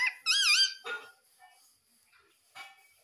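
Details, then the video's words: Pet baby rose-ringed parakeet: one loud, wavering, squeaky call that rises and falls twice, followed by soft scratchy noises and a faint later squeak. "Baby Ringneck Parrot sound"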